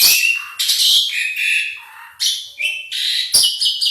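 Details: Asian pied starling singing actively, a continuous medley of harsh, buzzy and noisy phrases mixed with squeaky whistles and sharp clicks, shifting quickly between notes, loud and close with no other sounds.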